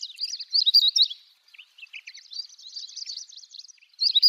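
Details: Long-tailed rosefinch in song at dawn in Hokkaido's Wakka Primeval Flower Garden, Japan, recorded early to avoid people: fast jumbled high twitters in bursts, a brief pause with a few lower slurred notes, then renewed chattering warble.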